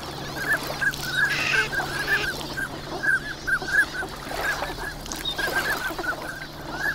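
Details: Large winter flock of migrant ducks calling at Nagahama on Lake Inawashiro, Japan, on a clear morning. Dense, overlapping short honking notes come in quick succession over a constant low background hum.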